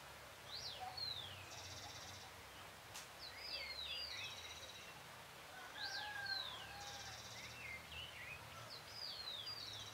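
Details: Great thrush (Turdus fuscater) on a full-moon night, 13 June 2022 around 6:26 PM, singing short phrases of sliding whistles and buzzy notes, repeated every few seconds, over a steady low background hum.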